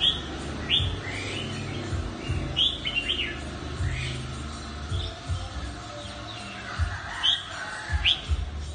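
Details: Red-whiskered bulbul described as a mutant bird, singing scattered bright whistled phrases of rising and falling slurs with pauses between them, accompanied by a continuous low droning hum.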